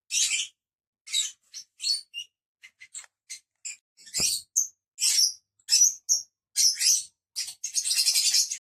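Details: Lovebirds in lively high-pitched chatter, sharp squeaks and chirps in irregular bursts, ending in a dense buzzy trill, with one brief thump midway.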